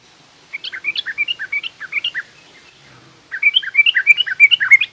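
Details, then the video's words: Yellow-vented bulbul in a recording of the 'garuda' song style followed by rough 'ngriwik' chatter, played to teach young bulbuls. Two bursts of quick, bubbly, warbled notes that jump up and down at about three per second, with a pause between. "suara burung trucukan garuda lanjut trucukan ngriwik kasar"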